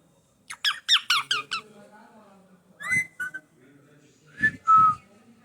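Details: Talking pet green parrot: five quick harsh rasping squawks in a row open the recording, followed by a couple of short scratchy notes and a final pair of clear whistled syllables, like "me too".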